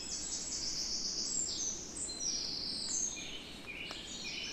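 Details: European robin (Erithacus rubecula) singing in the Netherlands; a continuous stream of high, thin whistled phrases, some held flat, others sliding and trilling at shifting pitches, over a steady low rumbling background.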